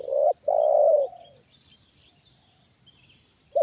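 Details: A trained Spotted dove reacts to a wild bird brought down for the second time, giving a short clipped coo then a long mellow one, soft coos in the pause, a new phrase starting, and steady high insect buzzing.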